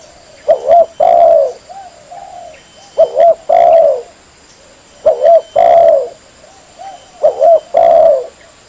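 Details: Spotted dove lure call for trapping, repeated four times about every two seconds. Each phrase is a quick double coo, then a sustained falling coo, with softer coos from another dove between phrases.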